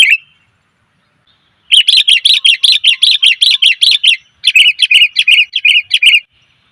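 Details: Female sooty-headed bulbul luring males: one sharp chirp, silence, then a long rapid series of harsh, buzzy notes, about thirteen, a brief break, and roughly eight more.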